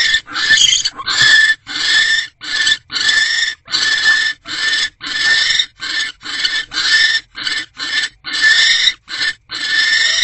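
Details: Barn owls at nest box C on the night of 20 January 2024 around 10:17 pm, as the male arrives with a small rodent and the pair mates; harsh hissing screeches repeat in rapid bursts, nearly continuous.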